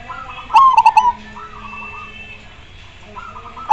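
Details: Zebra dove in song. A loud phrase opens with a short note and tumbles into a rapid string of throaty, bubbling coos. Quieter doves reply between phrases, and a new loud phrase starts at the end.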